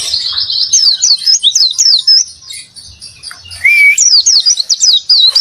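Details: Oriental white-eye in energetic 'gacor isian' song, a loud, fast, high-pitched warble of twisting whistled notes with short sweeping chips, briefly pausing mid-phrase before resuming.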